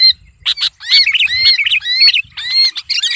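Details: Sooty-headed bulbul screaming while held in the hand, used as a lure call: harsh, high squawks and wavering shrill notes in rapid irregular bursts, with low rustling handling noise beneath.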